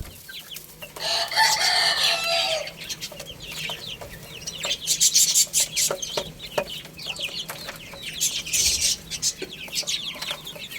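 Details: Several baby chickens eating and playing. A rough rustling burst early on gives way to a busy stream of high, quick peeps with sharp taps and clicks mixed in.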